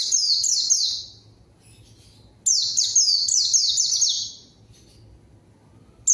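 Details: White-eye song used as a lure to call a rival and get silent birds singing: bright, high, downslurred whistled notes tumbling in quick succession, a short burst, a pause, then a longer run.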